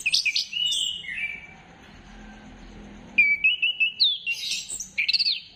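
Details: Song of an orange-headed thrush, played to prompt birds into singing, dated 15 December 2025: a burst of sharp whistled notes, a quiet gap of about two seconds, then rapid clipped phrases repeated in a string.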